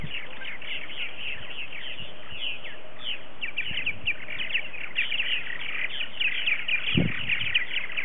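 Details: Purple martins at a colony of about 60–70 adult birds, on an early-season morning, 28 February 2018, keep up a steady, overlapping chorus of gurgling, chirping chatter, with wind noise and a low thump near the end.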